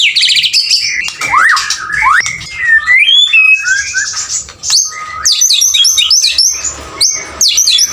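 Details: Male white-rumped shama in full song, mixing high trilled bursts, wandering mid-pitched whistles and sharp rising slurs, then a run of quick high chips and descending notes toward the end.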